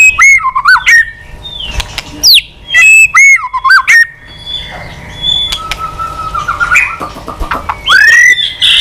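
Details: Old wild-caught white-rumped shama with a quality voice, fired up and flicking its tail, singing varied phrases to provoke rivals: loud, clear, rising and falling whistles in short bursts, with softer warbles between them.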